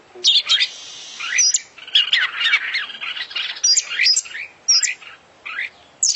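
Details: Oriental magpie-robin (kacer), an international champion singing constantly, its song full of imitations: dense, fast bursts of varied chirps, rising whistles and high squeaky notes packed together with brief pauses.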